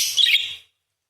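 A parakeet gives a single bright, scratchy burst of high chattering notes lasting about half a second, then falls silent.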